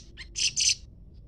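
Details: Leafbird in a calling exchange with a scarlet minivet: a soft high note and a brief harmonic chirp lead into two loud, harsh, scratchy high bursts in quick succession, over faint low background noise.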